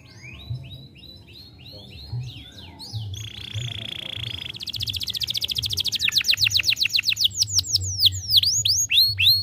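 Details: Young canary singing as stimulation for other canaries: varied chirps, then a sustained buzzy tone, followed by an accelerating series of sharp high sweeps and looping notes growing louder.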